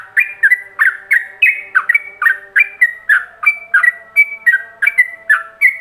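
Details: Yellow-vented bulbul delivering a ropelan master song to be copied by other bulbuls: a steady chain of short, bright, warbling whistles at about three per second, some notes slurred downward, others flat, with a faint low hum.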